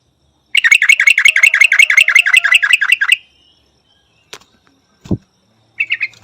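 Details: Rapid chattering song of a yellow-vented bulbul, about sixteen sharp slurred notes in under three seconds, then a few separate clicks and a short chirp at the end.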